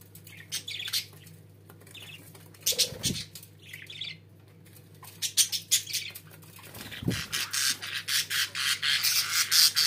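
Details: Pet budgerigars chattering and chirping indoors, a busy run of short high buzzy notes and squawks that thickens toward the end, with a couple of low thumps in between.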